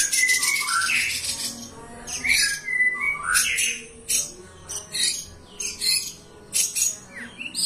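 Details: Cendet, the long-tailed shrike, in vigorous mimicry-filled song: rising and falling whistled slurs mixed with scratchy squawks and clipped chattering bursts, delivered in irregular bouts with short gaps between phrases.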